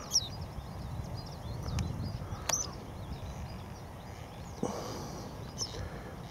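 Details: Western yellow wagtail in Siberia gives three thin, high, rising 'tsweep' calls, spaced a few seconds apart, over a steady low rumble of wind and distant noise.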